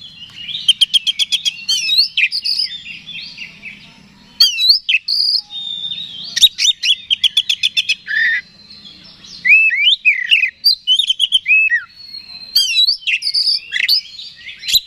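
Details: Agitated song of a kept oriental magpie-robin, played to make another bird emotional and sing; long sequence of rapid chip rattles, buzzy notes and clear whistled glides, repeated in energetic bursts with short gaps.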